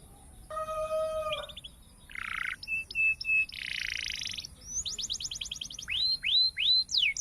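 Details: Canary song beginning with a steady pure whistled tone, followed by rasping buzzy bursts, short flat whistles, a quick trill and looping slurred whistles, over faint background hiss.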